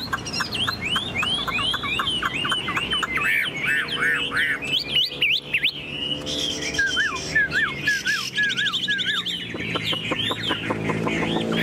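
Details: Tame Chinese hwamei in a carried cage, singing and displaying: strong rising and falling whistled phrases, sharp upward flicks and down-slurred notes in a varied, continuous stream.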